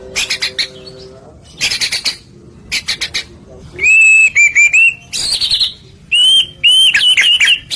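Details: White-rumped shama singing to provoke other shamas: scratchy buzzy bursts at first, then clear ringing whistled phrases, some sliding up and down, repeated with short gaps.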